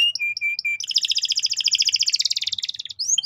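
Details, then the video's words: Canary singing a lively training song meant to coax young birds: short whistled notes, then a long fast rolling trill of paired high tones lasting about two seconds, ending in upward-sweeping whistles. "PANCINGAN BURUNG KENARI GACOR BUAT PAUD BERMENTAL TINGGI"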